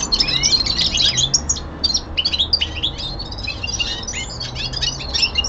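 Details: Young male common linnet kept at home, singing its winter descant: dense bursts of high twittering and rapid chirps, briefly pausing near the middle before resuming, with a faint low hum underneath.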